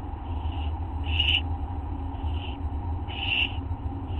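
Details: Barn owl owlets begging at an early-morning feed on August 15, 2011; four rasping hiss bursts, the second and fourth louder and harsher, separated by about a second, against a low continuous hum.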